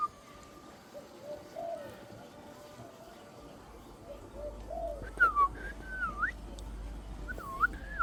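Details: Pet parrot calling indoors: soft, low, murmuring notes for the first few seconds, then clearer whistled notes that sweep up and down in short looping phrases from about five seconds on, over a steady low background hum.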